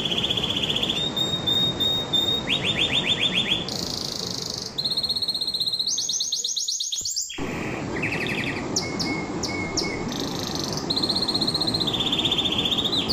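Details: An extended canary song: many tours of fast repeated notes and buzzy rolls shift between high and middle pitches, with a brief dropout midway, a long level whistle and more rapid trills to close.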